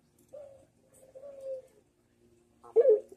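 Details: Barbary dove cooing, manggung style, from a training master recording: two soft, level coos, then a sudden louder, rougher coo at the end, in quiet surroundings.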